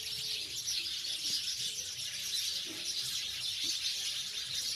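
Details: Continuous twittering of house sparrows, countless quick chirps blending into a bright, even chorus with a few clearer single notes.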